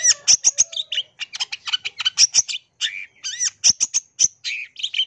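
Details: Long-tailed shrike in full song rich with mimicry: rapid strings of sharp high chips, some upward-curving whistled notes and buzzy phrases, tightly spaced with short gaps; no other sounds.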